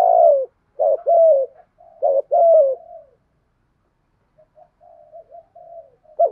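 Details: Spotted dove cooing from a male-and-female recording meant to stimulate other doves; a run of repeated mellow two-part coos falling in pitch, then quiet wavering murmurs, one more coo at the end.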